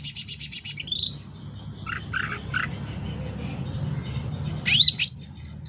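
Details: Energetic sooty-headed bulbul, played loud as a lure or tutor: a rapid string of high pulsed notes sliding into a lower whistle, a few short mid-pitched chirps, then two sharp, bright whistled notes near the end.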